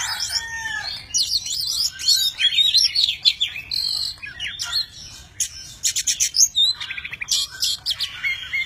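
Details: Tame Oriental magpie-robin in full varied song, dancing with wings spread and tail fanned; rapid high whistles, trills and chattering phrases pour out almost without pause, with a brief quieter gap midway.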